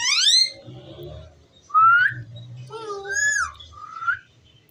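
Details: Talking ringneck parrot producing a mix of sliding whistled tones, a wavering mid-pitched note and a high arched syllable, delivered in irregular spoken-like phrases.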